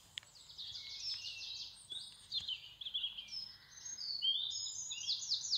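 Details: Songbirds singing in spring in England, with high bright trills and rapid chirping phrases overlapping, and a low rumble of background noise.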